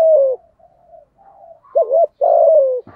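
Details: Rival-provoking coo of a spotted dove: a falling coo, quiet murmured notes, then a short wavering coo and a long drawn-out coo sliding slightly downward, ending in a soft click.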